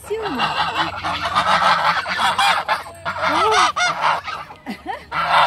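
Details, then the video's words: Geese give harsh, nasal, barking honks in a few loud bursts, some rising then falling, over a steady noisy background. "Barking geese1 (거위의 멍멍소리1)"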